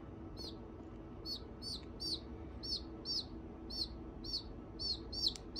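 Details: A just-hatched, vigorous junglefowl chick (owner thinks likely Red Junglefowl; sex unknown) gives high, thin, downslurred peeps, two or three each second, over a low steady hum.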